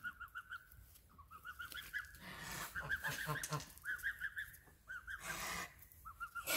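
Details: Geese giving repeated nasal honks in short bursts of three to five, with a voice talking between the calls and some background rumble.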